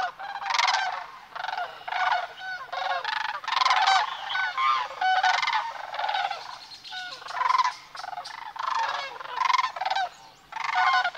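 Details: Large gathering of sandhill cranes passing through Nebraska's Platte River Valley north of Sutherland, March 18 morning; many birds give loud, rolling, guttural bugles in rapid overlapping bursts throughout.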